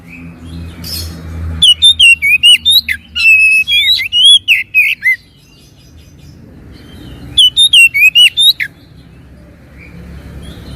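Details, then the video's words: Lure song of an oriental magpie-robin meant to coax a reluctant bird into singing. After a quiet start comes a rapid series of sweet, varied whistled phrases with sharp upward and downward slurs. A long gap follows, then another short burst of similar whistles. "PANCINGAN BURUNG KACER MALAS BUNYI DIJAMIN NYAUT"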